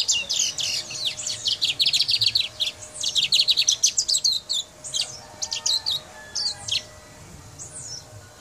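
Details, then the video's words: Guyana brown mustache in song, delivering a long, fast, high-pitched chattering series of sharp repeated notes lasting about six seconds, easing into a few slurred whistles at the end. "Guyana Brown Mustache Singing"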